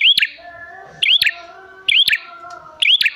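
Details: Bar-winged prinia lure: emphatic rising chirps ending in a quick downturn, each with sharp clicks, repeated every second over low steady tones.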